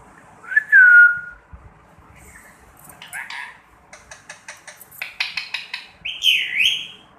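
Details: A pet Indian ringneck parakeet, its neck ring now fully grown in, talks in Urdu/Hindi, repeating "Mittu bete": a clear whistled note, quick scratchy word-like syllables, then a final shrill screech.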